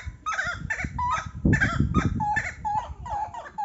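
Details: Buff-necked ibis, likely a pair, in a fast series of honking, nasal calls, some rising then falling, repeated about twice a second, with low rumbling noise underneath.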